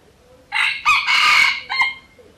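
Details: A wild red junglefowl in community forest near a pagoda in Siem Reap, Cambodia, gives one harsh, hoarse crow of about a second, rising then breaking off abruptly with a short clipped final note, in an otherwise quiet background.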